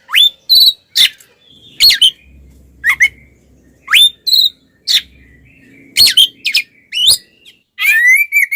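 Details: Oriental magpie-robin in aggressive fighting song to provoke other males: repeated upswept whistles and sharp clicks at roughly one-second spacing, ending in a buzzy rasp and a slurred whistle, with faint low hum behind.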